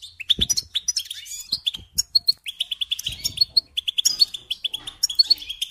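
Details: Training song of the European goldfinch, rapid high chirps and twittered notes strung into lively phrases, with a few faint clicks and knocks underneath.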